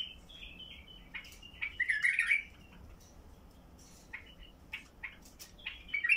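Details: Basra bulbul in heavy-throated style, sung to get silent bulbuls singing: a loud, throaty, rolling phrase near the middle, then scattered short chirps and a final warble, over faint room hiss.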